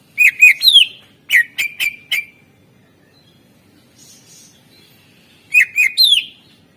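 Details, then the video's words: Greater green leafbird song used as a master recording to prompt quiet birds to sing: short bursts of loud, sharp whistled notes with downward sweeps, grouped in threes and fours, separated by pauses, with a faint high twitter between. "Cucak ijo gacor SUARA ISIAN masteran untuk pancingan burung yang malas bunyi"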